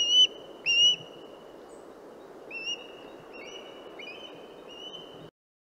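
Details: Western osprey (Pandion haliaetus) giving high, clear whistled notes: two loud, short whistles near the start, then a run of fainter, longer whistles at a steady pitch, some overlapping, until it stops abruptly. A soft, steady hiss fills the background.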